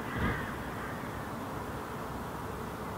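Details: Hooded crow in Helsinki, Finland, July 2016, heard at night as a full moon sets to a rooftop; one short, harsh, hoarse caw right at the start, then only a steady low background hum.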